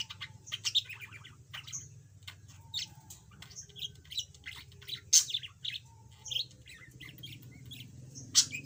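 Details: Yellow pet budgerigar, previously mute and now starting to chatter, delivering scattered scratchy chirps, squeaks and short buzzy notes in loose phrases, with a steady low hum in the background.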